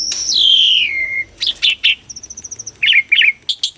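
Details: Asian pied starling singing hard, used to stimulate silent birds: a long clear whistle slides downward, then short husky notes, a fine rapid trill and twangy doubled chirps, over a steady high hiss.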